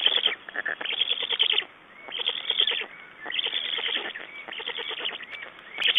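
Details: Black storks at their Estonian nest, 6 June 2011, exchanging and feeding; repeated harsh, buzzy pulsed bursts lasting about a second, spaced by short silences, with faint higher squeaks between them.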